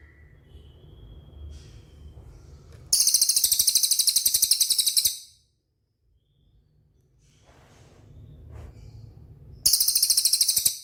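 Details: Cililin training song for caged birds: two loud bursts of fast, very high, evenly pulsed trill, the first about two seconds long, with low background hum and faint whistles between them.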